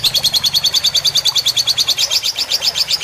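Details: Lovebird fighter-style tutor song with trickling water added to relax the birds: rapid, steady chatter of sharp high notes, about two and a half per second, over a soft hiss of water.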